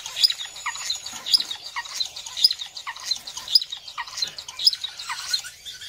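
Star finch giving thin, high, sharp calls about once a second, over a soft bed of fainter twittering.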